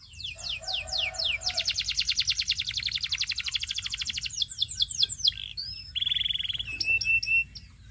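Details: Belgian singing canary song meant to attract other canaries: a string of descending whistled slurs, a long rapid rolling trill, more falling whistles, then a loud steady buzzy tour and sharp chipping notes.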